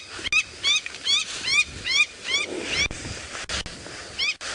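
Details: African wattled lapwing near lion cubs on a sunset safari drive in Sabi Sand, Kruger area, South Africa, on 4 October 2017, repeating shrill, sharply rising piping notes, about two or three each second, in an insistent run; light background hiss.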